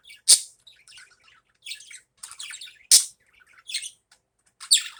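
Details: Budgerigars in the morning: loud sharp squeaky chirps about every two seconds, with buzzy warbled chatter filling the gaps.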